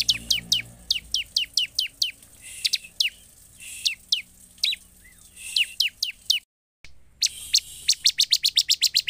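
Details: Bar-winged prinia; calls; lure to provoke a response from other birds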